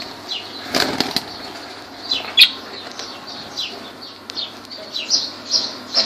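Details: Lovebirds at Laylan, Kirkuk: many brief high chirps and squeaks overlapping and repeating irregularly through the recording, with bursts of wing flutter and a faint low hum.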